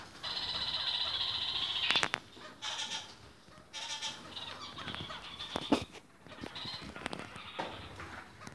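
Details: Red-crowned parakeets in varied colours open with a long, strained, nasal call, then give scattered shorter squawks among sharp clicks and cage knocks.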